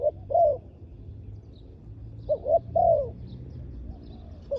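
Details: Ground decoy spotted dove luring wild doves with two cooing phrases, each a quick double note then a long falling coo, separated by a quiet gap over low background noise.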